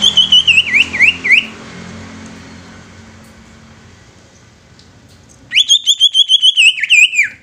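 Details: Greater green leafbird singing to provoke rival leafbirds into song and agitation: an opening burst of high zigzagging whistles, a long quiet gap with faint hum, then a second, fuller run of rapid warbled notes.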